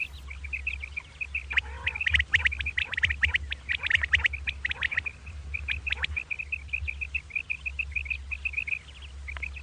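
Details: Common quail, two birds, calling in the morning: a dense stretch of rasping bursts and chirps, then a long even series of short high notes spaced closely, low hum throughout.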